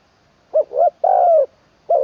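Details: Spotted dove decoy bird in training in Isan, Thailand, singing 'khan long kuk' style with a full middle voice: a short coo, a rising rolled coo, then a long sustained falling coo, with the next phrase starting at the end.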